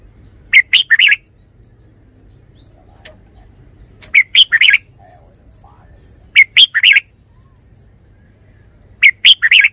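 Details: Red-whiskered bulbul repeating a loud, quick three-to-four-note warbled phrase about every three seconds, with silence and faint low hum between phrases.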